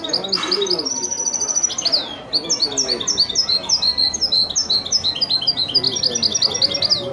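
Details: Hybrid goldfinch × canary (male goldfinch, female canary mother) in wedani-style song: an opening high trill, a short pause, then a long, rapid sequence of bright, sweeping chirps.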